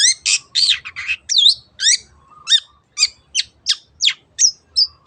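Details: Long-tailed shrike singing, meant to prompt other birds to sing: harsh grating notes at first, then a steady run of short, sharp downslurred chips about every third of a second.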